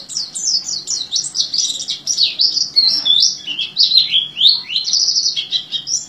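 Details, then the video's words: An Oriental white-eye in top "teler" form sings a fast, unbroken stream of high, thin twitters and warbled slurs, rising and falling without pause, over a faint low hum. "Pleci Gacor Teler"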